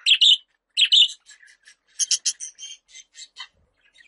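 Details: Budgerigar sounds meant for calling pet budgies: two loud, scratchy chirping bursts, then a long string of soft, quick, buzzy ticks and chatter notes with short pauses between them.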